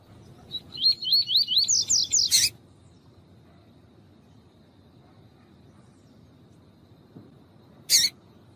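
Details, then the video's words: Double-collared seedeater (coleiro tuí-tuí) in the tuí-tuí song style, used to warm up birds for tournaments: a quick run of about eight wavy, rising whistled notes, growing louder and higher, then quiet and a sharp click. "COLEIRO TUÍ-TUÍ E FÊMEA CHAMANDO"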